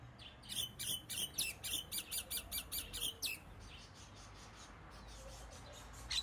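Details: Common myna giving a rapid run of about ten clipped, scratchy notes, roughly four per second, which then break off into faint, scattered chatter and a soft background hiss.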